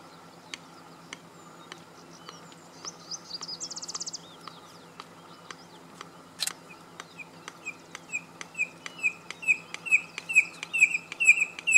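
Red-crested Korhaan: dry ticking clicks that speed up, then a swelling run of sharp, down-slurred whistled notes. A brief buzzy trill from another bird and a steady background hum.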